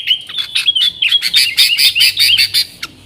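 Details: Yellow-vented bulbul in vigorous nggaruda-style song, used to lure wild sooty-headed bulbuls: a rapid run of bright chirps and warbled notes, the pace quickening into dense, loud bursts before a final short note.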